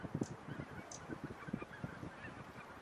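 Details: Thousands of geese, chiefly 1600 White-fronted Geese plus Tundra Bean, Egyptian and Barnacle Geese, grazing in a polder on 26 January 2017; quick nasal honks and yelps tumbling over each other in a continuous gabble.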